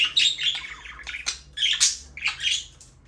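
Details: Budgerigars chirping in a quick warbled run, with buzzy rising and falling chatter notes in four or five bursts, close and clear.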